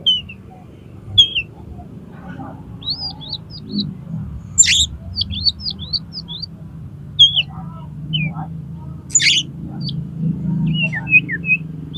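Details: Oriental magpie-robin singing as a training and lure recording for contest kacer: a busy run of quick high whistled flicks and slurred notes, broken by occasional harsh raspy bursts, over steady low background rumble.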